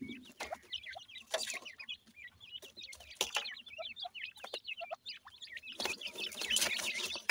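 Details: Pakistani Dakhni teetar (black francolin) chicks at feeding time, kept and raised by people: a dense stream of thin, high peeps and short chirps, some rising, others dropping, mixed with sharp pecking taps and brief rustling bursts.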